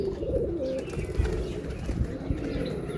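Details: Pigeon cooing in low, throaty pulses during the first second and a half, then softer murmurs, with steady background noise and occasional low thumps.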